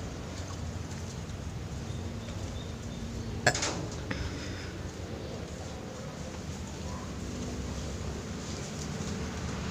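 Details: Indoor room noise with a single sharp clink partway through and faint knocks; no animal voice is heard.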